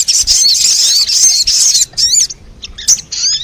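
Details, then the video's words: Sogon lure sound for wild birds: a steady high shimmering trill with twittered notes, followed by a few sharply bent, whistled chirps and a closing thin high trill. "Suara pikat burung sogon 💯% bikin sogon liar berdatangan"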